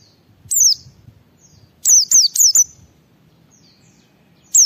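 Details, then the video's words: White-eye singing in 'ngalas' style to stimulate other white-eyes: a single high falling whistle, then a brisk run of four similar notes, and another lone note at the end; faint low hum. "Suara Burung Pleci Gacor membuat Semua Pleci langsung ngalas"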